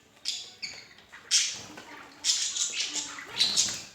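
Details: A pair of budgies giving bright, high chirps and squeaky warbling notes in quick irregular bursts, several overlapping, with short pauses between.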